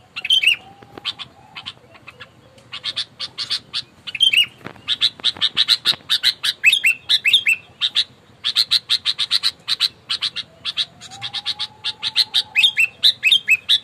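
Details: Sooty-headed bulbul in aggressive fighting mood, used as a lure to provoke rivals, gives long bursts of rapid, harsh chattering notes broken by short slurred whistles, with a faint steady tone underneath at times.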